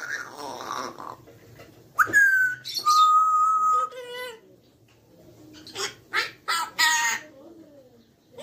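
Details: Tame talking grey parrot, kept as a pet, gives a bright rising whistle and a long level whistled note, then a series of sharp harsh bursts and mimicked syllables, with quiet gaps between.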